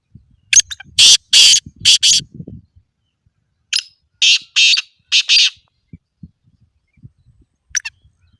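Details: Black francolin call intended to get non-calling birds to call. A grating phrase of four harsh bursts is followed by a pause and a second, similar phrase of four raspy notes, with faint low noise.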